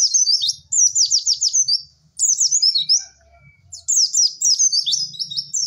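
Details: White-eye singing the 'cek cek werr' masteran pattern: lively high chirps and slurred twitters in phrases about two seconds long, broken by short pauses, over a faint low rumble.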